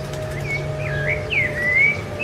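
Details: Rufous-bellied thrush, Ilha do Governador, January 2013, delivering melodious whistled notes that dip and rise in smooth glides, with a steady low hum and a faint tonal drone underneath.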